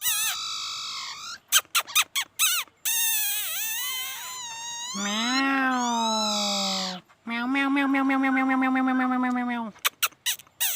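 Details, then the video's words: Long sustained whistles from a laughingthrush, some bending upward and some held steady and reedy, linked by quick bursts of sharp chips. "khướu hót noog sab hwj ntuaj zoo nkauj heev"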